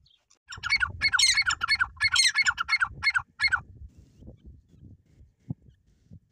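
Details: Francolin (teetar) giving a loud series of harsh, raspy, repeated notes, about three per second for three seconds, then fading into soft low knocking and rustling sounds.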